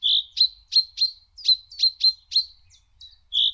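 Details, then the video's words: A common chaffinch chirps a run of about ten bright, clipped high notes, each briefly sliding down, repeated roughly three times a second against a quiet background. "The Chaffinch's Enthusiastic Call"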